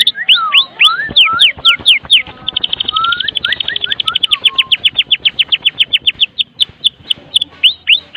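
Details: Lively full song of a Medan white-rumped shama, played to get other shamas singing; swift downward-slurred whistles, a brief high trill, more slurred notes, then a long run of evenly spaced sharp chips.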